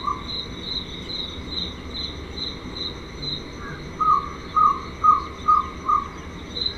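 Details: Jungle owlet (Glaucidium radiatum) call: a run of five mellow, hollow notes, each about half a second apart and growing louder, while a cricket's steady high chirping continues throughout.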